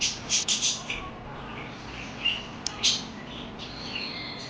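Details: Parakeet chirping opens with a rapid run of loud shrill chirps, then quieter scattered twitters and a few sharp squeaks amid light background hiss.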